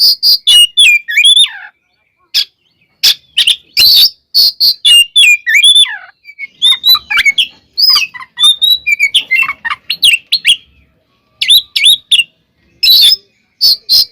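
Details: Long oriental magpie-robin (kacer) fighting song used to provoke other birds, steady loud harsh bursts and whistled slurs with varied chattering phrases and short gaps throughout.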